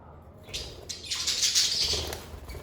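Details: Pet lovebirds in a calm setting give a continuous shrill, buzzy squawking chatter after a few sharp chirps, bright and loud throughout.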